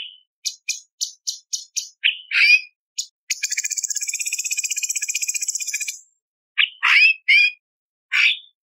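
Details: Cucak cungkok bulbul gives a run of sharp, high clicking notes, a fast buzzy rattle of about three seconds, then a few slurred, chattering whistles.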